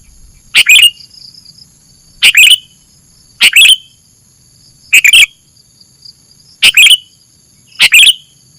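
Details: Sooty-headed bulbul on a masteran training track: six brief loud chirpy phrases at uneven intervals of about one to two seconds, each a sharp burst with a falling tail, over steady high background tones.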